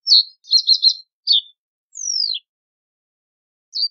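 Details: Reed bunting uttering a loose string of high chirps and a short buzzy trill, then a drawn-out descending whistle and one last chip after a pause. Background silent.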